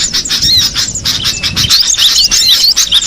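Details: Cinereous tit in the wild: rapid, high, thin chirps and short twisting whistles, dense and overlapping, suggesting several birds calling together, with flapping-like bursts between notes.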